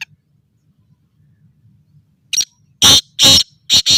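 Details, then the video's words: Black francolin (kala teetar), a bird described as of very good breed, calling in a lively mood. About two seconds of near silence, then four loud, harsh, rasping bursts in two close pairs, recorded very near. "Chakri Wala Bhot Achi Nasal Ka Teetar Masti Our bolai karty howy"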